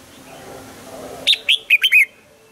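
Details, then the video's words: Caged red-whiskered bulbul during morning song training delivers one short phrase of five rich whistled notes, the last ones sliding lower, after a second of faint low background murmur. "Luyện giọng cho chào mào hót sáng, ép chào mào hót âm kép già rừng hay tuyệt!"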